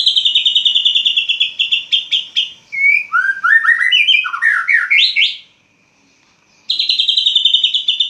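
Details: Caged white-rumped shama singing loudly at dawn after its cage cover is opened: rapid repeated buzzy trills near a steady pitch, then a burst of varied slurred rising and falling whistled notes, a brief pause, and the rapid trill again.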